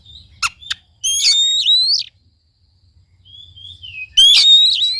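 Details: Oriental magpie-robin song meant to provoke a silent bird to sing: crisp clicks, then a loud warbled whistle with a downward flick, a soft sliding note, and another strong ringing phrase.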